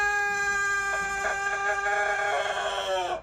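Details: Rooster with an unusual, funny crow: a single long, steady, nasal drawn-out note held for about three seconds before cutting off abruptly.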